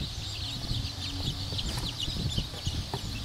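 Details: Group of black Cochin bantam chicks peeping, dense overlapping high chirps, with low rumbling noise and soft tapping sounds underneath.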